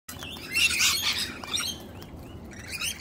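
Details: Wild female sulphur-crested cockatoo, jealous and defending her male partner from a person's attention: one loud, rasping screech burst lasting about half a second, followed by quieter scratchy notes and faint chirps.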